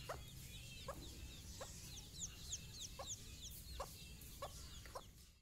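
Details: Hen calling her chicks during a morning walk: several clear clucks spaced about a second apart, with bright chirping chicks overhead and a low hum in the background.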